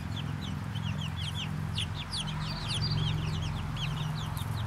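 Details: Brahma chickens in a little flock keep up dense chatter of quick, high, slurred peeps, many at once, while a strong low droning hum runs underneath throughout.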